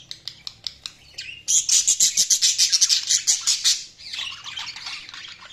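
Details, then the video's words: Budgerigars chirping: a few sharp clicks, then a fast run of high, bright warbled chirps repeated about three per second, trailing into softer chatter. "Budgies Chirping sound"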